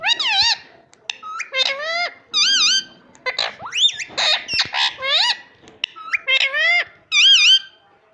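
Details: Talking pet ring-necked parakeet indoors rattles off a long rapid string of shrill, nasal, word-like syllables, many repeated with the same rising-falling shape, almost without pause for eight seconds.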